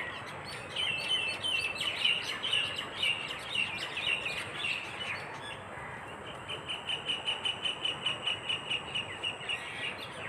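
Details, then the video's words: Birds in a flock chirping at a misty dawn in the countryside: high, rapid twittering notes, then a regular series of repeated chips about three per second, over constant background hiss. "পাখির ঝাঁক বেঁধে কিচিরমিচির শব্দে ঘুম ভেঙ্গে সকাল"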